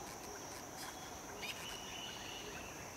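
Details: African harrier-hawk (Polyboroides typus) in Gambia, 2008, giving a single thin, drawn-out whistle of about a second, faint behind a steady high insect trill and background hiss.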